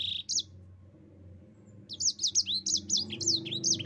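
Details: Yellow-fronted canary singing: a short high note, then a pause, then a lively run of high whistled notes that sweep down, repeated quickly with quavering, rolled trills.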